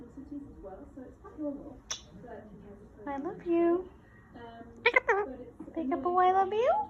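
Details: Pet male Indian ringneck parrot talking at home in a high, slightly nasal voice, running several short words together into a phrase like "I'm being a very good boy", with a rising, squeaky finish; quiet room background.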